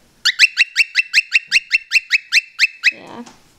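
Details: A male pet cockatiel that does several whistles gives a rapid run of about a dozen bright, ringing whistled notes.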